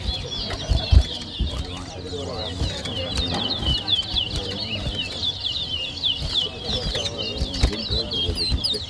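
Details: Seed-finch known as towa towa, competing in a 2023 whistling match in New Amsterdam, Berbice, Guyana, sings a long unbroken stream of fast, high twittering whistles, with thumps, music and people heard.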